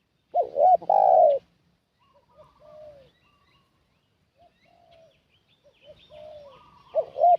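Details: Spotted dove used as a decoy to lure wild doves; a loud three-part arched coo opens the recording, then softer distant coos follow, ending with another loud coo phrase.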